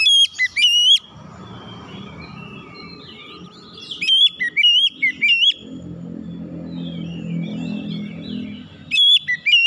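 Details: Oriental magpie-robin lure song, meant to get reluctant birds singing quickly: loud, clear whistled phrases with quick sweeping notes, in three short bursts with pauses between, over a low background rumble.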